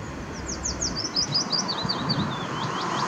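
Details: A willow warbler singing along the Zeeburgerpad on 2 May 2016 gives a sweet, fluid phrase of high notes that cascade gently downward, over a low rumble of distant traffic.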